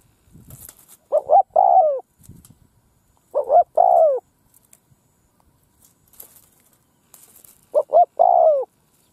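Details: Field decoy spotted dove calling to draw in wild doves. Three coo phrases come roughly three and a half seconds apart, each with short double hoots before a long falling note. Faint rustling and a soft high hiss sit between them.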